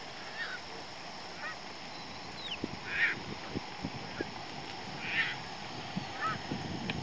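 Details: Juvenile Semipalmated Sandpiper at Pointe Mouillee, Monroe County, Michigan, on 20 August 2014: short, sharp chirping calls near three and five seconds, with a few fainter chips between, over steady background bird chatter.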